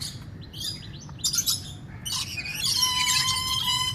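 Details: Rainbow lorikeet: a breeding pair of Swainson's lorikeets, with babies in the nest box, gives a fast, jumbled stream of shrill, screechy chatter and squeaks that grows denser and louder near the end, over a low background hum.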